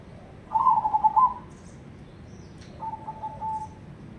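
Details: Zebra dove, a crossbred bird of black cemani colour, in Ketekdobel-style song: a strong burst of fast, bubbling coo notes, a short pause, then a quieter, longer, even cooing phrase. Faint distant chirps from other birds are audible.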